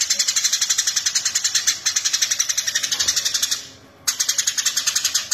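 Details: Loud, persistent chirping of a Eurasian tree sparrow, recorded as a master track for tutoring cage birds; high, clipped notes follow each other about four times a second, with a brief silent gap near the end before they return.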